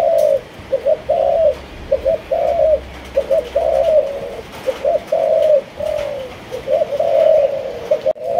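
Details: Malaysian spotted dove kept as a cage bird, cooing persistently. Quick doubled notes lead into long, soft, wavering coos, repeated about six times with little pause. A low hum and a sharp knock sound at the end.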